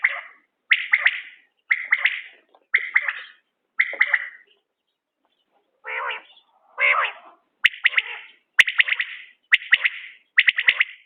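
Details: Common quail linked to quail hunting gives repeated bright triple-note calls, interrupted midway by two lower, rougher calls, then resumes its even rhythm. Faint clicks are also audible.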